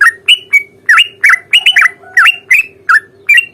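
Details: Sooty-headed bulbul giving its fighting song, meant to provoke other birds to answer: a quick string of around a dozen loud, rising and falling whistled notes, some slurred together, with a faint low hum beneath.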